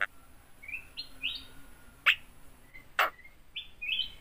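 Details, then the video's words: Captive yellow-eyed Javan myna with an uncut tongue, mimicking human speech; short rising whistled notes are broken by loud, harsh, voice-like bursts, over a steady background hiss. "BURUNG JALAK KEBO PINTAR NGOMONG"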